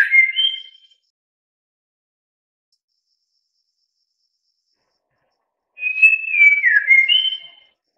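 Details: White-rumped Shama (Copsychus malabaricus) sings two rich, whistled phrases: a short one, then after a pause a longer sliding, warbling run, against a quiet background.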